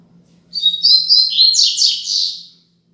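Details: Braddock-style 'Tui Tui Zel Zel' tutor song of a Double-collared seedeater for teaching young birds: a rapid run of high twittering notes, then louder slurred buzzy descending elements, ending in a fading trill. A faint constant low hum sits underneath.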